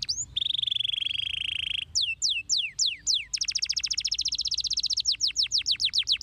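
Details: Canary song played to draw replies from other canaries: a long steady buzzing note, several loud falling whistles, then a rapid trill and a run of quick downslurs.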